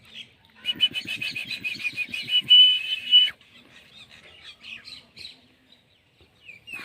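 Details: Indian ringneck parakeet; a rapid string of harsh, buzzy chattering notes for about three seconds ending in a sharp shriek, followed by softer scattered squawks.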